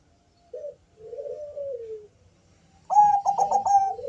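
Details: Bangkok zebra dove (perkutut) singing to set off other doves: a short coo and a drawn-out falling coo, then a strong burst of rapid pulsed notes ending in a rising coo.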